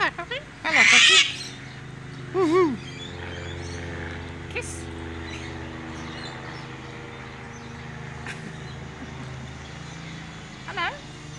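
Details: At a backyard bird-feeding spot in Canberra, Australia, a Sulphur-crested Cockatoo gives one loud, harsh, grating screech, then a shorter wavering squawk, over a steady low engine-like hum.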